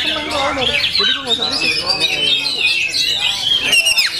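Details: Full-power singing from an Oriental magpie-robin: high twittering phrases and sweeping whistles, ending in sharp downward slurs, with busy lower sounds beneath.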